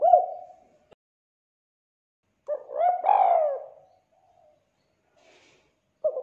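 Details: Spotted dove (tekukur) lure sound meant to make doves call: a trailing coo, a long quiet pause, then one full phrase of mellow cooing with a drawn-out falling note, and the start of another coo at the end.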